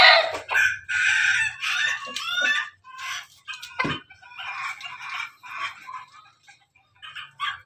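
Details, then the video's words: Pelung and Ketawa chickens kept together: a hoarse crow opens the recording, then ragged bursts of clucking and short cackling notes, with a low hum underneath. "ayam pelung ayam ketawa bersama"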